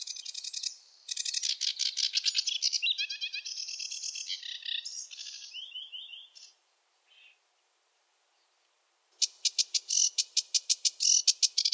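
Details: Varied song of a sedge warbler, a wetland bird: dense buzzy chattering and mixed phrases for six seconds, a short pause, then a fast, even rattling trill.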